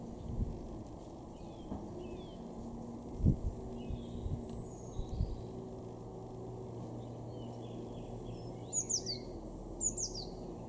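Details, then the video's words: Eurasian blue tit in a garden in Weener, East Frisia, northwest Germany, in April 2024, giving thin, very high, quickly falling call notes, a pair near the end, over steady low rumble and faint distant chirps. "blue tit"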